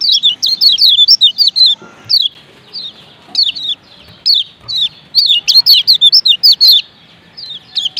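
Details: 'Ciak ciak' calls of a male and female kecial kuning Lombok, used to excite other white-eyes into song: bursts of rapid high slurred chirps broken by short gaps, with single notes between the busier runs.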